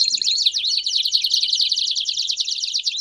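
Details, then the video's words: Belgian canaries singing together: an unbroken, fast, high trill of tightly packed repeated notes with slight pitch wobbles throughout. "Vários Canários Cantando Junto Estimule seu Canário Belga a Cantar Muito!!!"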